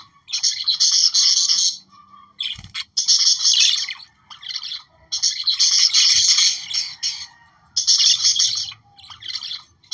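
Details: Australian budgerigar chatter meant to encourage breeding: long, dense runs of rapid squeaky warbles and clicks with brief pauses between phrases, the bursts coming back to back over the whole stretch.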